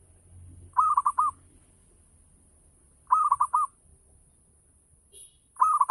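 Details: Local Javanese zebra dove singing to stimulate other doves to reply: short trilled coo phrases of four or five rolling notes, recurring about every two and a half seconds, with a faint high chirp between phrases.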